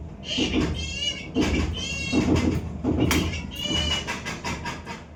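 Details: Parrot giving loud, harmonic-rich nasal calls in bursts of roughly a second, some with a wavering, rising-and-falling pitch, repeated several times with short gaps and a low background hum.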